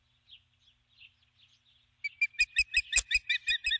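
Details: Female osprey calling for her mate from the nest at dusk, 21 July 2015, after landing with a stick. Faint chirps give way to a loud, close, rapid series of sharp, harsh whistled notes, several per second.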